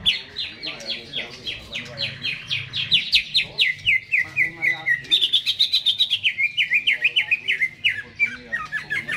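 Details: Captive greater green leafbird in full song just before being hung up in its cage: a long, rapid run of sharp, bright repeated notes, several per second, shifting pitch in varied chirping phrases.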